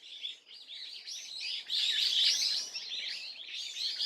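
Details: Swallow on 30 April 2024 with a rapid, buzzy twitter of high notes that rises in loudness mid-passage and then settles back into steady chirping.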